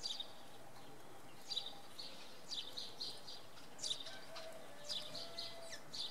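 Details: Evening fog at Oksywie, Poland, with a common redpoll uttering high, short chirps in loose groups roughly every second, over a soft low rumble.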